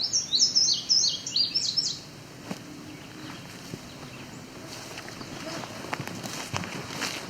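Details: A male Indigo Bunting in edge habitat and fields near Cape Chin North, Ontario, Canada, on 17 July 2019, sings a quick, high, sweet run of paired descending notes for about two seconds, then only soft outdoor background noise remains.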